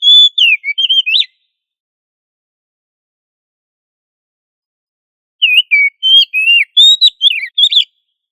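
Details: Oriental magpie-robin in energetic ngobra singing, used as a tutor so other magpie-robins learn loud song: two bursts of rapid, varied high whistles with slurred, swooping notes, separated by about four seconds of silence.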